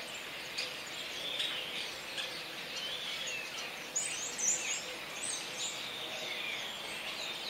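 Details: Many Sturnus vulgaris calling together in a rolling babble of thin squeaks, chirrs and sharp high notes, growing louder and more crowded around the middle, over steady environmental hiss.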